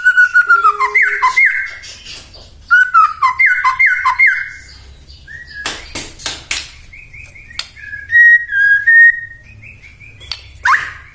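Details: White-rumped shama song meant to provoke other shamas into singing: loud whistled phrases near 1–2k repeated in bursts, with sharp chattering notes and clicks between, a low hum underneath.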